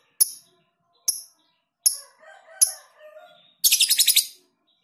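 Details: Lovebird in a tutoring recording of long ngekek song with tight pauses; four sharp high chirps under a second apart with faint lower warbling, then a fast shrill pulsed chatter of about eight beats.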